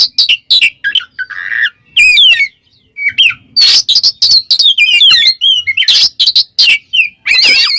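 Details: Oriental magpie-robin in ngeplong song, calling out a rival and stirring up other kacer: varied loud whistles, squeaky trills and rasping notes, delivered in quick bursts with a brief gap near three seconds.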